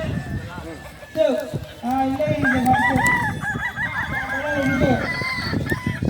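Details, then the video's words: Kukuak balenggek crowing contest in Danau Bawah, Solok Regency, held on 6 October 2024: Balenggek chickens give drawn-out crows that climb and fall in tiers of linked notes, with overlapping birds and murmuring spectators behind. "lomba ayam kukuak balenggek"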